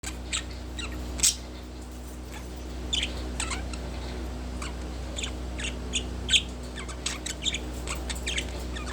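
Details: Pet budgerigar relaxing on a wooden perch gives sparse, short, high chirps and clicks at irregular moments, with a few louder sharp notes among quiet gaps over a steady low hum.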